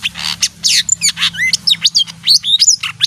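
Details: Small leafbird, a bird said to sing when it hears music and to love bathing, giving a rapid jumble of varied high notes: sweeps, chirps and whistled slurs in quick succession.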